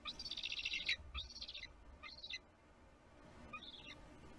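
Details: Bald eagle eaglet at a nest in Kisatchie National Forest, livestream, 6 April 2022, throwing a temper tantrum when a parent ate the fish: high, squealing chittering bursts, each arching up and down, fading out over steady hiss.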